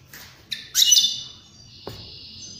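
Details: Drawn-out nasal wheeze of a European greenfinch, used to stimulate other birds to sing and mate. A quick chip leads into a strained buzzing note that fades slowly, followed by a soft low thump.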